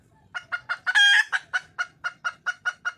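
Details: Red junglefowl hen calling for a male: a rapid, even train of short clucking notes, roughly four per second, broken in the middle by one longer, louder squawk.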